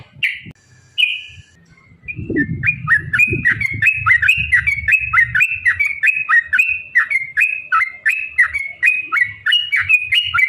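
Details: Yellow-vented bulbul giving a long rapid 'ropel' song, used as bait to provoke other bulbuls into singing; after a few scattered notes, bubbly warbled phrases repeat several times a second, with faint low rumbling underneath.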